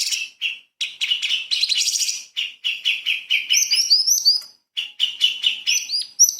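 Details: Light-vented bulbul in 'tembakan' burst style for training magpie-robins: quick chirp runs mixed with clear, high upslurred whistles repeated in the second half.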